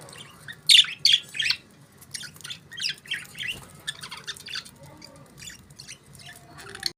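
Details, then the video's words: Several budgies chirp in rapid, scratchy chatter, loud bursts opening then settling into steady warbling twitters and short squeaks, over a soft low background hum. "Budgies Beautiful Chirping Sounds"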